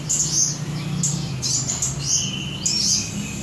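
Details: Flowerpecker known as toli-toli or cabai gunung, Samarinda, Indonesia, producing a few spaced high, thin chirps and one long faint whistle, with a low hum throughout.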